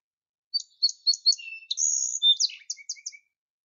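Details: Song Sparrow song: a few sharp introductory notes, a high buzzy trill, then a jumble of quick twittering phrases, all bright and high-pitched.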